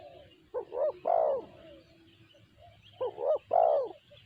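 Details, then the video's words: Spotted dove giving its sanji-style voice: two coo phrases, each a pair of short rising hoots followed by a longer, drawn-out low coo, with faint chirps of small birds behind. "Tekukur BL suara sanji"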